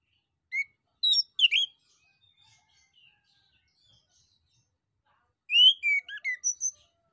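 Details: Male orange-headed thrush song intended to draw replies from other birds: a few sharp chirps and slurred notes, quiet interval, then a rich warbling phrase of rising and falling whistles.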